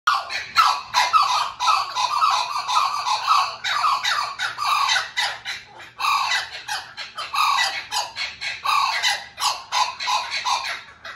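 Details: Blue-winged kookaburra in a zoo or aquarium giving harsh, raucous squawks in rapid, uneven bursts, less laugh-like than expected, more a screeching cackle, with brief pauses between phrases.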